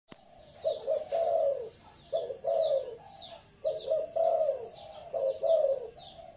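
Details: Spotted dove giving repeated low, hoarse cooing phrases, each about half a second to a second long, in bursts roughly every one to two seconds, while small birds chirp high and thin in the background.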